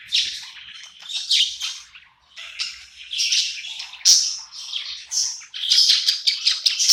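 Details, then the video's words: At night in a new home, a contented budgerigar delivers a long, varied chatter of squeaky, scratchy warbles, growing denser and faster in the second half. "Cute budgie night happy in new home singing and chirping sounds"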